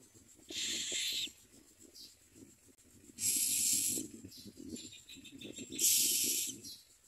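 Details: Common myna feeding chicks in the nest: three loud, breathy, hissing rasps, each under a second, recurring roughly every two and a half seconds, with quiet low background noise between.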